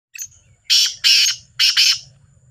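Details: Two black francolins (kala teetar) calling in competition: harsh, grating broadband notes in two bursts, first a pair of rasping syllables, then a shorter doubled phrase, with quiet gaps between.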